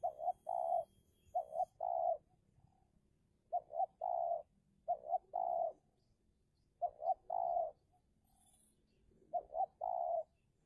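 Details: Spotted dove acting as a lure in a fierce contest with a wild dove. It repeats a stuttered double note and a long low coo five times, spaced by brief pauses.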